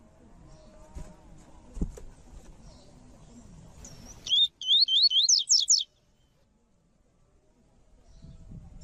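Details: Tui tui style song of a coleiro (Double-collared seedeater) with a female, used to train caged males: low murmur and a thump give way to a rapid burst of about six shrill, looping whistled notes, then near silence.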